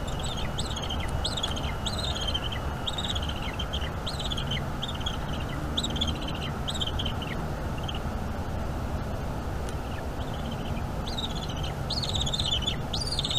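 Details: Young bald eagle at a North East Florida nest, calling constantly while its mother feeds it squirrel on a May 2021 evening; series of high, slurred whistled chirps, several rising then dropping, over steady low background noise.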